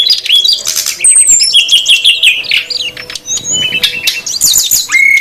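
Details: Brown-chested jungle flycatcher pair, female and male, calling noisily as a lure for wild birds; fast rattling trills and bright whistles at first, softer middle, ending in a clear upslurred whistle.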